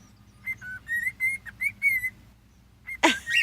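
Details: Hand-raised cockatiels, 10 and 11 years old from the same clutch, kept outdoors, give a run of short whistled chirps, each about a quarter-second, then a harsh screechy burst at the end.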